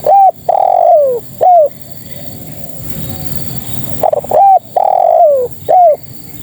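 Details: Calling female spotted dove, luring males: two loud phrases about four seconds apart, each a short coo, a long coo gliding downward and a crisp final coo, with quiet hiss between.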